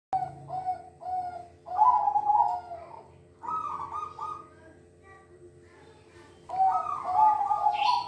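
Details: Silver zebra dove singing a lively, melodious song: bubbly, warbling coo phrases in short bursts, four loud bouts separated by brief pauses, with a faint low hum underneath.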